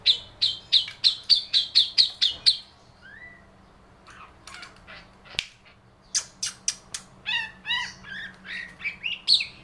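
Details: Long-tailed shrike singing with lovebird mimicry: a fast run of about ten sharp, high chirps, a short pause with a thin rising note, then a varied mix of clipped, buzzy and chattering high notes.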